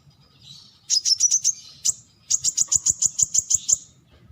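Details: Brown-throated sunbird giving quick series of high, sharp chipping notes, a short burst of six followed after a pause by a run of about ten evenly spaced ticks; faint low rumble beneath.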